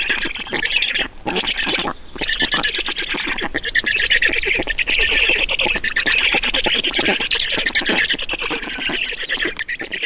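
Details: Feeding time at an Estonian black stork nest, 31.06.2019, 11:11: continuous scratchy, squealing chatter, briefly dipping near the first and second seconds, then pouring on as steady rapid rasping notes.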